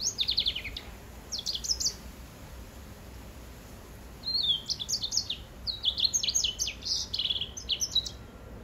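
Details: Greensinger hybrid, a cross of white-rumped seedeater and grey singing finch, singing high twittering phrases: short rapid bursts at the start, a pause, then a longer run of bright, varied chirps and trills.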